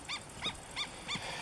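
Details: A juvenile black-winged stilt (Himantopus himantopus) in Cyprus gives short, nasal yelping notes, about three a second, each slightly arched in pitch, over a soft outdoor background.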